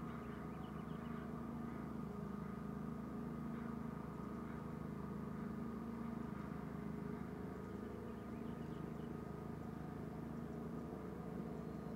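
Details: A steady low rumble of engine or vehicle noise with constant humming tones fills the recording; no animal calls stand out.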